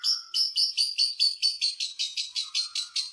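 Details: Lovebird singing to rouse other lovebirds, a rapid string of bright, high, clipped notes repeated steadily, slightly uneven, with a faint lower buzzing note underneath near the start and end.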